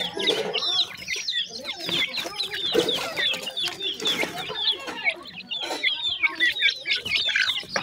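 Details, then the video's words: Painted francolin chicks in their first days of life: a busy chorus of sharp, downslurred peeping from many chicks, with occasional louder clucks and clicks. "dakhni teetar chicks bird voice in first days,partridge chicks"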